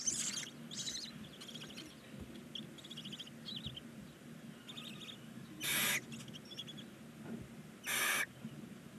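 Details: Nine Barn owl chicks at nineteen days in a chimney nest box, Ságvár, Hungary: scattered high thin squeaky calls, then two loud rasping begging hisses a couple of seconds apart.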